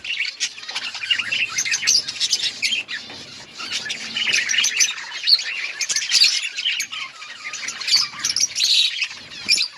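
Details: Budgerigars in an outdoor breeding colony, many birds chirping and chattering at once in a dense, continuous high-pitched warble, with squawky notes rising above the constant flock noise.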